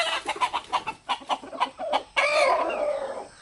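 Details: A series of quick rhythmic clucks, about three a second, from a group of three roosters and their hens, then a loud sustained rooster crow that breaks in and slowly fades, part of the roosters' communication.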